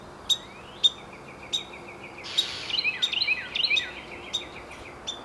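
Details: Wren producing scattered bright ticks, then a fast rattling burst of high chipping notes before returning to single sharp notes, with faint steady background noise.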